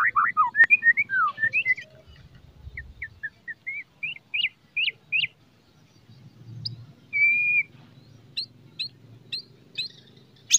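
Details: White-rumped shama singing in the morning, a loud song to raise a shama's fighting spirit: rapid twittering notes, then spaced sharp chips about four a second, a long level whistle and a few thin high chips over faint low hum.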